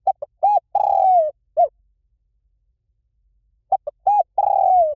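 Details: Spotted dove repeating a หลิ่วตัน-style song twice, meant to lure a training bird into answering: short notes, a rounded coo and a long falling coo, then silence before the phrase returns.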